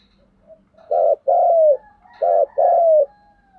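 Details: Spotted dove decoy bird giving a full, strong 'thúc gù' driving coo: two low husky two-note phrases, each a short burst followed by a longer coo that slides gently downward, about a second apart.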